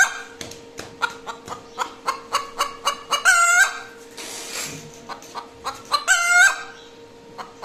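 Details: A hen's noise after laying an egg. Quick, uneven clucking builds to two long, harsh squawks around three and six seconds, with a faint steady hum behind.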